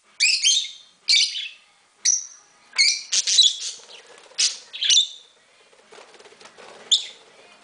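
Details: Lovebirds flying free and playing indoors in a house alongside budgies give sharp, shrill chirps and squawks in quick bursts, with budgerigar chatter possible.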